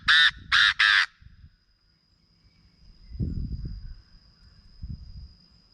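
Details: Chinese francolin, used as a decoy sound to stir up birds for trapping: three loud, harsh, grating notes in fast succession, followed by low muffled rumbling and handling noise.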